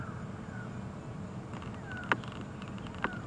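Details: Grey go-away-birds alarm-calling at a dark chanting goshawk, a bird hunter, on an African safari drive on the afternoon of 12 August 2015: faint, drawn-out, falling nasal calls and two sharp louder notes about a second apart, over a low engine rumble.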